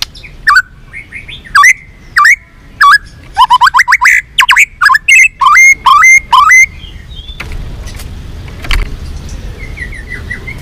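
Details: White-rumped shama song for provoking rivals to sing and fight: loud clipped whistled notes repeated about every second, speeding into a rapid run of sharp notes, then fading to quiet background noise after seven seconds.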